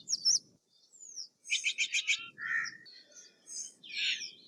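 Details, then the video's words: Steller's jay calling: a quick run of five harsh, pulsed notes, then a lower raspy note and a drawn-out scratchy screech at the end; a thin whistle and several high chirps mixed in, low rumble beneath. "Steller's jay Sound - Stellar's Jay Singing - Stellar Jay Scream - Stellar Jay Mating Call"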